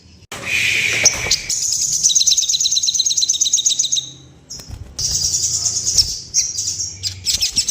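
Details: Sooty-headed bulbul in breeding condition, calling in a way said to trigger wing-quivering and fluffing in other bulbuls; long, dense, high buzzy chattering trills, broken by a short pause near the middle, then resuming with scattered sharp chirps.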